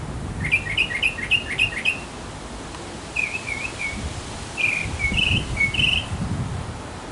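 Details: Courting male mockingbird in a backyard: a string of five quick repeated chirped phrases, a pause, then softer slurred warbles and bright chirps, with some low rustling.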